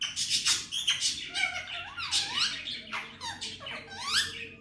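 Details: Male Indian ringneck parrot at home, a talking pet, uttering Hindi/Urdu words like "Mithu bete" and "Miya Mithu": continuous run of raspy, nasal speech-like syllables with wavering, swooping tones indoors.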